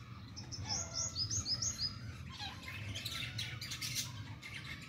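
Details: Female francolin struggling with chicks: a rapid run of four or five high whistled chirps, then noisier scratchy calls, with a low hum underneath.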